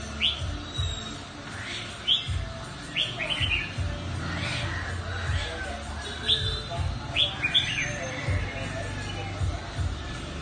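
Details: Mutant red-whiskered bulbul in fine song: a string of clear whistled phrases with sharp upslurred and downslurred notes every second or so, against steady low background hum.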